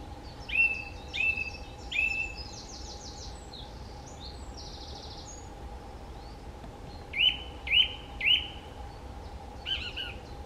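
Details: A song thrush at Rieux, France, sings clear, whistled phrases, each repeated three times in quick succession, with pauses between groups; a steady low hum runs underneath.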